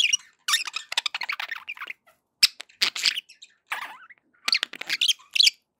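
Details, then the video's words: Pet budgerigars making happy sounds: quick bursts of scratchy chirps and warbles in short clusters, with brief pauses between bouts. "happy budgie sounds"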